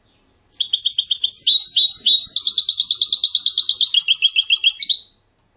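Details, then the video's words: European goldfinch trained for silvestrismo clean song gives a sustained four-and-a-half-second phrase of dense, rapid twittering and bright tinkling trills, shifting between note types without pause. "Jilguero educado"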